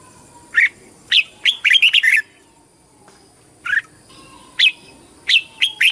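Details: Red-whiskered bulbul competing in song to call the flock and train its voice, with a quick burst of bright chirping notes, a silent gap, then spaced single chirps and a short two-note phrase.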